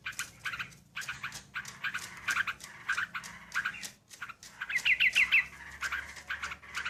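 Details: Sooty-headed bulbul song played as a bird-catching lure: short chirping and whistled notes in quick irregular bursts, with a brighter run of rapid whistled notes midway and brief pauses between phrases.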